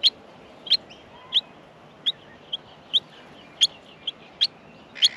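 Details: Australian miner young in the nest being fed: quick, uneven high chips and softer squeaks, about ten in five seconds, ending in a louder, broader burst.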